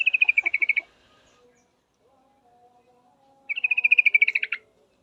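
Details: Female yellow-vented bulbul calling a male, two fast chattering trills of clear bright notes, the second about a second long and slightly descending, with a faint low tone between.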